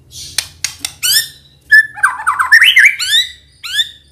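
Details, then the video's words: White-rumped shama singing as a lure for other songbirds: harsh raspy notes and sharp clicks lead into a rapid warbling run of wavering whistles, ending with a clear upslurred note. "Pancingan Murai Batu Gacor FULL isian Sekali dengar langsung Nyaut"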